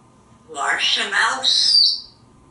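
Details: Talkative African Grey Parrot kept indoors, perched up in the shower while rehearsing playful alliterations; three rapid speech-like syllables with raspy, voice-like timbre, the last stretched into a shrill, high whistle-tinged tone.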